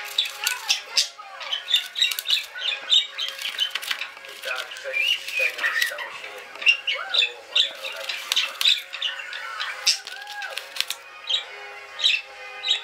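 Budgerigars chatter continuously, a busy mix of warbles, squawks and sharp chirps.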